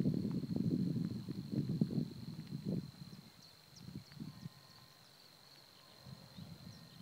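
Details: Savi's warbler in the Týnecké mokřiny nature reserve on 16 April 2016: a steady, unbroken high reeling trill runs through the whole recording, over loud low thumping and rustling close to the microphone, with a few faint chirps.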